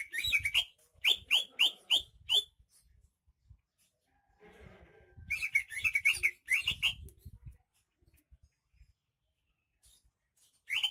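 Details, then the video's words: Greater green leafbird from Banyuwangi in vigorous song: a series of loud rising whistles with sharp downward tails, a soft rustling gap, then a rapid warbled phrase and one final rising note. "Suara kicauan burung cucak ijo KTP Banyuwangi gacor"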